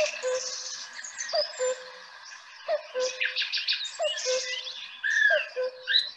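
A Common Cuckoo gives its low two-note 'cuck-oo', falling in pitch and repeated about every second, over a busy chorus of high twittering songbirds.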